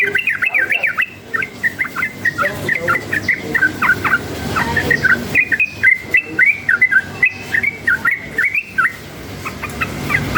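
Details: Wild yellow-vented bulbul, excited by nearby noise, singing hard in rapid-fire style: a continuous chattering run of bubbly, bouncing whistled notes, several per second, with a short break midway before resuming, over low background rumble.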